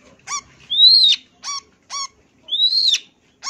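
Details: Long-tailed shrike (cendet), a champion bird with a full 'isian' song for tutoring: long, arched, rising-then-falling whistles alternating with short, nasal, ringing notes.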